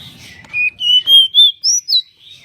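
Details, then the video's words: Pied bushchat singing on a bird-training recording: a smooth phrase of six clear whistled notes, rising gradually to a high note and then dropping back. "Burung decu gacor"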